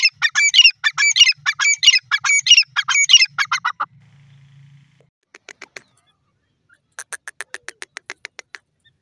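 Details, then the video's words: Grey francolin giving loud repeated harsh chattering phrases for about four seconds, then a low hum, a few faint clicks, and a quick run of sharp ticking notes near the end. "lovely teetar ki awaz"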